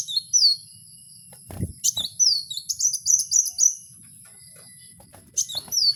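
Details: Wild kowul song: thin, high whistled slurs in short bursts, a fast series of five or six clipped notes in the middle, silence, then more sliding whistles near the end; a brief low thump early on.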